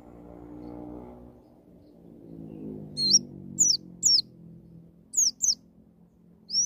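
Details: White-eye in "ngalas nembak" wild style, meant to coax a young bird into song: after a low humming background stretch, sparse sharp high slurred notes arrive singly and in pairs.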